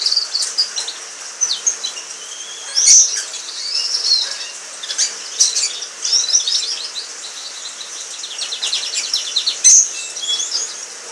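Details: Orange frost canary from a pair, singing high warbles and fast trills interrupted by loud clicks and wing-flutter rustles.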